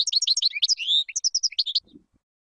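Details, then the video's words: European goldfinch song used to teach chicks: rapid liquid twittering, quick high chirps and a longer sweeping note, ending in a short faint low rustle. "تغريد طائر الحسون بدون أخطاء لتعليم الفراخTweeting goldfinch to teach chicks goldfinch"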